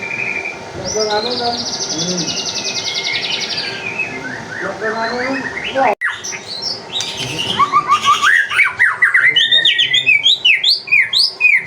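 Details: White-rumped shama song used as a lure to provoke other birds to sing. The bird gives a varied run of whistled and chattering phrases. After a brief break the song returns with rapid, loud, repeated sweeping notes.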